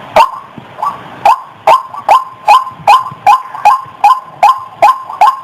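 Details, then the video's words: Steady chant of white-breasted waterhen used as a lure: a hesitant start, then even, loud, croaking 'wak' notes repeated about every 0.4 seconds. "SUARA PIKAT BURUNG RUAK RUAK"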